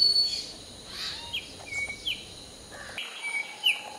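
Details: Morning song of a hill myna while preening: scattered short whistled notes and quick chirps at varied pitches, some rising, some falling, against faint steady background hiss.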